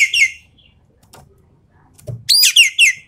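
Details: Javan pied starling with 'tembakan' shooting song for testing the nerve of champion birds: a short harsh phrase at the start, a low knock, then a loud run of rasping, chattering notes.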